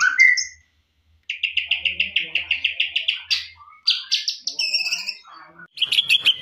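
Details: Greater green leafbird, a champion bird's full-repertoire song used as a training recording for other birds: a rich, varied song with a fast run of about twelve sweet chirps, then ringing whistled phrases and buzzy notes.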